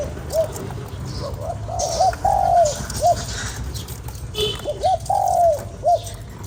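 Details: Cooing spotted dove used to excite a decoy bird. A brief upturned note leads into a drawn-out descending coo and a clipped final note, the phrase heard twice against soft background hiss.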